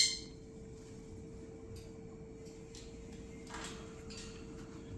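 A steady electrical hum runs under soft household clinks and taps, with no animal voice heard.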